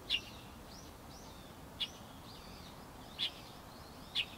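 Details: Light-vented bulbul calls: four short, bright, sharp notes spaced about one to one and a half seconds apart, with faint arched whistles between them and a low steady hiss underneath.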